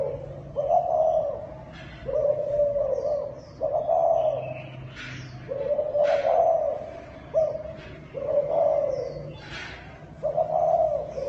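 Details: Thai dove, a kept cage bird, giving a cooing call: low, throaty coos repeated about every one and a half seconds, each a steady hum with a slight rise, faint high chirps from other birds in the background.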